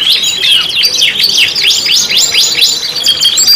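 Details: Canary singing on a lure track for teaching caged canaries: rapid series of high downward-sweeping notes repeated in quick succession, followed by fast trilled chatter near the end, steady and loud.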